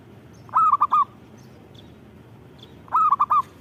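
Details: Perkutut (zebra dove) in vigorous song: two mellow rolled cooing phrases of three notes roughly two and a half seconds apart, with faint high chirps in the background.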